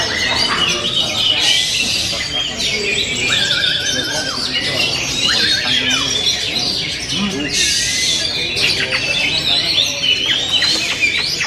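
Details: Oriental magpie-robin song: a dense run of high, buzzy and scratchy phrases mixed with short whistled notes, sung over a busy backdrop of other chirping birds.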